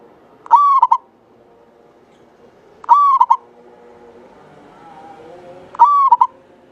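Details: Javanese local zebra dove in lively song, its voice long and clear: three repeated phrases roughly three seconds apart, a held pure note then a quick double note, with soft low murmuring between.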